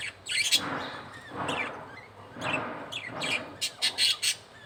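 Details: Male budgerigar feeding a chick: soft rasping feeding sounds in pulses about once a second, ending in a run of loud sharp squeaks and clicks.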